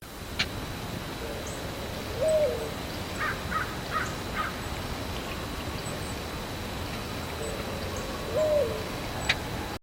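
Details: Mourning dove in the Virginia–Carolinas region gives soft, low, hollow "ooh" coos, each swelling then dropping, about six seconds apart; faint ticking and a few sharp clicks in between.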